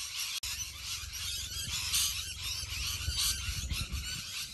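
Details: Rainbow lorikeets screeching en masse in a huge flock, piercing overlapping calls, with a sharp click early on and low rumbling noise like wind or handling underneath.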